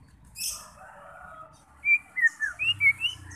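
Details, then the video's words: White-rumped shama song meant to rouse fighting birds: soft hissing and low murmur at first, then a series of bright, clear, slurred whistles rising and falling, about six notes in quick succession. "90% Cocok untuk memancing SEMUA jenis Murai batu FIGHTER, GACOR dan BONGKAR Isian"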